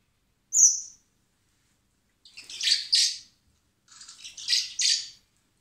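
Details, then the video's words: Hand-fed common blackbird nestlings in spring at a wildlife rescue centre, awaiting release: one thin high whistle, then two longer harsh, buzzy, chattering begging bursts. "Cebando a los polluelos de mirlo común (Turdus merula)"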